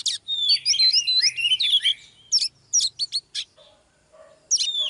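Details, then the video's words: Oriental magpie-robin hen rousing a male: a rich run of sliding whistles and harsh notes, then spaced sharp calls, a faint low hum, and a closing burst. "chòe than mái KÉO TRỐNG LÊN ĐIỆN"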